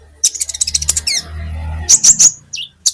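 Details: Olive-backed sunbird (kolibri ninja) song from a training recording for cage birds: a fast series of high chips, then loud squeaky slurred notes, over a low steady hum.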